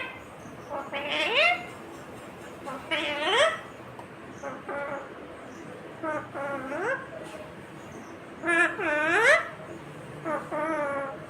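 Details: Talking ringneck green parrot repeating rising, arched harmonic phrases about every two to three seconds, with a few short choppy syllables between them, over faint background noise.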